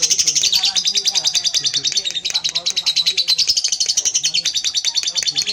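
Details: Long ngekek from a pied lovebird with its tail moving, a continuous shrill rattling chatter of rapid pulses throughout, about two or three per second in loudness waves.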